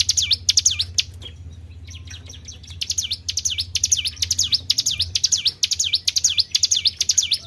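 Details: Tribel bird calling, used as a lure for other birds: high, swooping notes dip down and rise again, each one quickly repeated, with a brief quieter break near the start and a constant low hum beneath.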